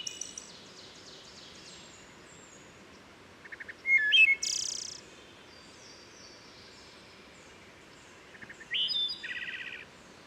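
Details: Wood Thrush songs in forest along Herring Run, Susquehanna State Park, Maryland, with woodpecker percussion: two full songs of soft lead-in notes, ringing flutelike phrases and buzzy trills, separated by several seconds, echoing gently.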